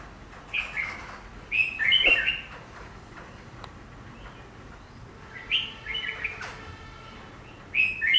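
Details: Chinese laughingthrush (Garrulax chinensis), kept in a cage and set in front of glass to test its reaction to its reflection; it gives three separate bursts of ringing, slurred whistles, each lasting under a second, with hiss between them.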